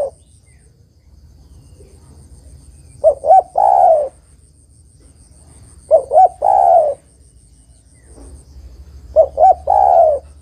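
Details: Female spotted dove calling to a male, used as a lure call: three cooing phrases, each two short soft coos followed by a long, slightly falling coo, repeated about every three seconds over quiet background.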